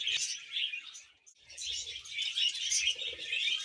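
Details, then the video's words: Happy pet budgerigar chattering in fast buzzy chirps, briefly going quiet before resuming its scratchy, squeaky warble. "Happy Budgie Sounds"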